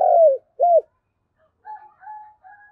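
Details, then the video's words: Morning decoy spotted dove cooing to lure wild doves; a long falling coo and a short arched coo, followed by faint, quieter humming notes. "Tiếng chim cu gáy mồi gáy gọi bổi"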